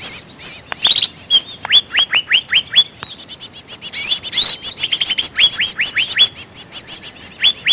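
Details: Greater green leafbird lure call, used to attract wild birds: dense rapid high chirps stacked over a run of sharp whistled notes sweeping steeply downward, repeated about every third of a second, then a busier burst of chattering twitters.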